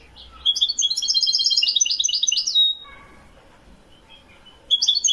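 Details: European goldfinch from Morocco in Widani song, 2021: a two-second run of rapid high twittering and buzzy trills ending on a whistle, a quiet gap, then the twittering starts again.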